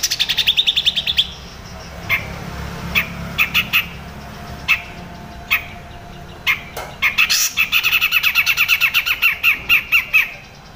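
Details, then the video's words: Cucak jenggot, the grey-cheeked bulbul, giving crecet chatter used as training material for other cage birds: scattered sharp chips that quicken into long, dense runs of rapid scratchy notes near the end. "CUCAK JENGGOT CRECET cocok untuk masteran MURAI BATU ,KACER, CUCAK HIJAU"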